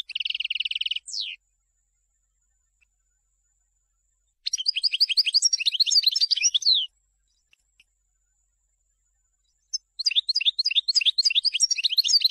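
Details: European goldfinch song for teaching young birds: an opening steady buzzy trill and a downslurred note, then after a pause two fast phrases of high tinkling, twittering notes with scratchy ends.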